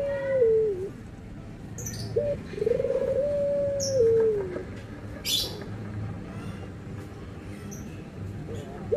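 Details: Cooing dove, from a comparison of white and brown doves: a short coo, then a long, smooth, low coo that drops at the end. A few brief high clicks and rustles are heard between calls.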